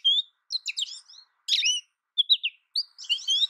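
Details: An American goldfinch gives short clusters of high, warbled twitters and slurred whistles, broken by brief silences between phrases.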